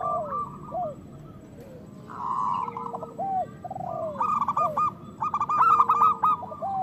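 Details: Local zebra doves used to stimulate breeding and singing in other doves. Low sliding notes come first, then a murmured phrase, building to loud bursts of rapid clipped coos near the end.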